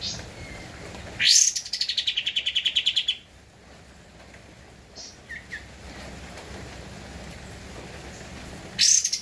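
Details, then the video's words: Javan white-eye (kapas tembak) singing energetically on a master recording for training cage birds: a two-second high trill falling from a sharp start into steady rapid notes, a few faint short chirps, then another trill begins. "Kapas Tembak Gacor untuk Masteran (suara asli)"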